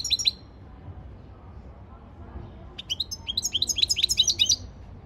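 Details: Training song of a European goldfinch on 15 February 2024: two quick chirps, a pause of over two seconds, then an accelerating series of sweet, high, slurred twitters delivered about three or four per second.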